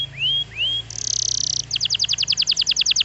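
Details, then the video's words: Canary song opening with two rising whistled slurs, then a harsh buzzy burst, followed by a quick run of repeated short notes. "bon canari .. tournez une fois que le canari sonne !!!"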